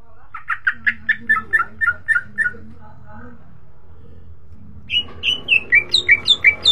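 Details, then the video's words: Greater green leafbird song used as a lure (pancingan) to get other leafbirds singing vigorously: a fast series of bright, ringing whistled notes, pausing, then resuming higher and sharper with quick downslurred chirps, over a faint low hum. "Cucak ijo di jamin ikut gacor pancingan cucak ijo"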